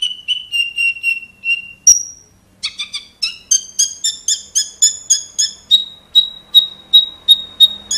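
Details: Caged Javan Horsfield's bush lark, Wates strain, singing strongly: steady level whistles, then one high sharp note, then a long string of quick, bright, stacked chirps that climb and then settle into an even, ringing series.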